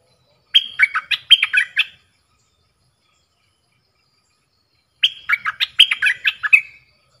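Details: ['Bulbul kept in a cage, singing against wild birds: two bright phrases of fast, tumbling whistled notes, each lasting about one and a half seconds, separated by three seconds of quiet.']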